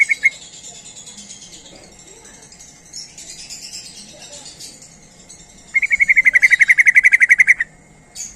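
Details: A sooty-headed bulbul call meant to lure other bulbuls: after quiet hissing background, a loud, very regular rattling chatter of about twenty quick notes runs for nearly two seconds.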